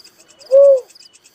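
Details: A lone cuckoo-dove coo: a brief, soft hoot that climbs gently and then falls. High cricket pulses continue underneath.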